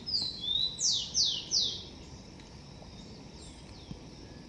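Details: Blond-crested woodpecker at its nest in a garden: a slurred high note, then three quick, sharp, descending whistles in under two seconds, followed by a quiet outdoor hush.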